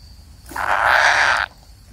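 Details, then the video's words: A single harsh, rasping buzz of about one second from a kingfisher chick waiting for its parent, set against a quiet background with a faint steady high hum. "burung tengkek kayu menunggu induk nya"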